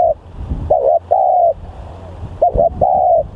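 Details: Lure spotted dove, said to be very aggressive and vocal, utters two stuttering double notes each followed by a sustained level coo, over low background rumble.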